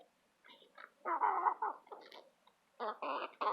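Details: Eight hens bickering over a mealworm treat: scattered nasal clucks, then a burst of harsh squawks, a pause, and more grating, overlapping squawks at the end.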